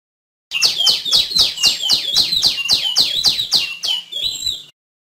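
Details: A female tiểu my gives a quick string of clear, high downslurred notes, about four each second, ending in a softer drawn-out whistle, with no other sounds.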